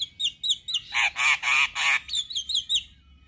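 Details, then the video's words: Male Javan myna, white-eyed, singing to trigger other mynas: short whistled notes around rough, honking, grating bursts in the middle, then more quick whistles. "Jalak Apapun Seketika Ikut Bunyi Dengar Suara Jalak kebo Jantan Mata Putih Ini"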